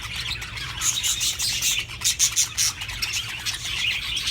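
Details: Breeding-stimulation calls of budgerigars: bright, very high chirps and sharp tweets in quick pulses over a constant bed of warbled chatter, several clear peaks around the middle.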